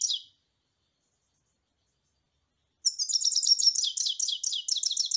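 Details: European goldfinch song in which a brief trailing note gives way to a pause, followed by a lively two-second stream of fast, high, jingling twitters and slurred chirps.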